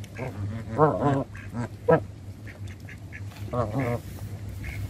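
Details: Hand-fed Canada geese give a run of strong harmonic honks, paired and spaced unevenly, with softer calls and a persistent low drone behind.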